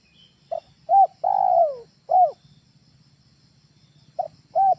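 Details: Spotted dove call for luring birds at home: a phrase of short notes and a long downward-sliding coo, then a second phrase beginning, over a soft low hum.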